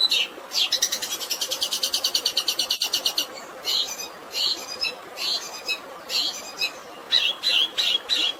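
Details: Long-tailed shrike fighting song with sparrow filling and natural water: a rapid, even rattle of about twenty clipped notes, then a string of sharp chirps in short groups, with a constant background hiss.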